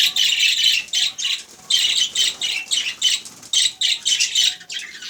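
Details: Rapid, uneven chattering from budgerigars, raspy high syllables run together in short clusters with slight drops in loudness between them.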